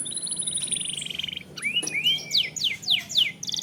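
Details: Canary singing in a lure recording meant to provoke other canaries to sing: a long buzzy rolling trill, then upslurred whistles and a series of quick descending sweeps, with low background hum.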